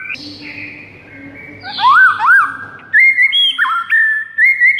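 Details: Morning White-rumped shama training song: rich whistles with rising-and-falling slurs, then a run of bright, steady whistled notes that step up and down, over a soft low background hum.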